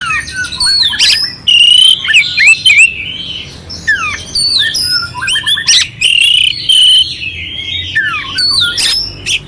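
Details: Oriental magpie-robin, likely caged, singing a clear song with harsh fill-ins, used to stir up a quiet bird; loud varied whistles, slurred notes and rasping bursts in quick succession, with sharp descending sweeps.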